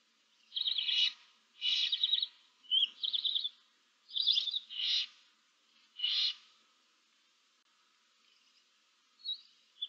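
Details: A nest box holding a barn owl and seven owlets, 15 March 2024: a run of rough, wheezy snoring hisses about once a second, each short and breathy, then fainter calls toward the end.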